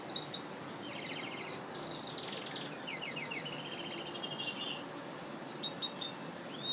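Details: Pet red siskin crossed with canary delivering a varied, rapid song: stuttering high trills, buzzy rattles and sharp chirps in quick succession, ending in upslurred whistles, with soft steady hiss behind.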